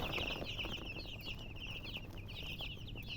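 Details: Continuous high chick peeps, rapid and falling in pitch, running nonstop over a constant background hiss.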